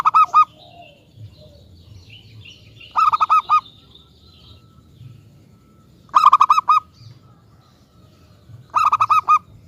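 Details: Zebra dove of local stock, kept as a lure to make other doves sing, delivers four phrases of quick staccato coos spaced about three seconds apart, with soft chirping from other birds in the gaps.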